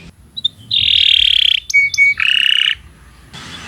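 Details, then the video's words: Canary song for training other birds: sustained buzzy high tones in two long phrases, separated by a pair of short pure whistles, with quiet gaps before and after. "Kicau Burung Kenari 123 II LUAR BIASA GACOR PANJANG Cocok untuk Masteran"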